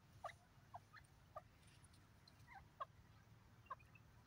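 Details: A francolin pair calling: short, clipped mid-pitched notes, about six in four seconds at an uneven pace, over a steady low hum.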